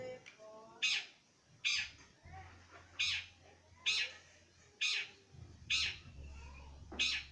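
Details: Long-tailed shrike, a young bird starting to sing: sharp, rasping notes repeated roughly every 0.8 seconds, eight in all, with soft chatter in between and a low background hum.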